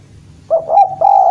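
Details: Spotted dove from Java calling a rival: a quick burst of short coos followed by a long, steady, hoarse note that runs to the end.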